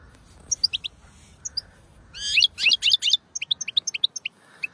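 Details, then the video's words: A European goldfinch sings excitedly, a rapid, liquid jumble of high tinkling twitters and buzzy trills, bursting into a dense run midway before returning to quick chirps. "عشاق طائر الحسون"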